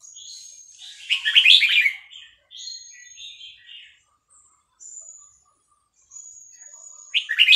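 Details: Caged red-whiskered bulbul of Vietnamese stock, stirred by playback of chick calls, delivers a short bright warbled phrase with fast-joined notes. Thin high drawn-out whistles and quieter twitters fill the gaps before another loud burst ends the recording.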